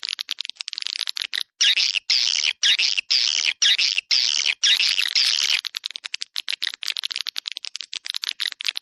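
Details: Attraction call of swiftlets in the "Dua Bidadari" style: dense, shrill buzzy twittering in long bursts through the first half, giving way to rapid scattered clicks and thinner chirps.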